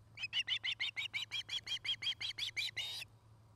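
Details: Osprey at a nest camera near Charlo, Montana, where a pair is building a new nest, courting and mating. Recorded in 2018, early afternoon. About fourteen high, clipped whistled chirps come in a rapid, evenly spaced series over three seconds, then stop abruptly. A low steady hum runs beneath.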